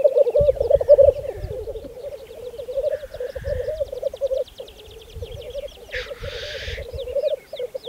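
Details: Black grouse at a spring lek, Saaremaa, Estonia, 2014: layered bubbling from the lek, one hissing sneeze around six seconds, distant twittering and some low rumble.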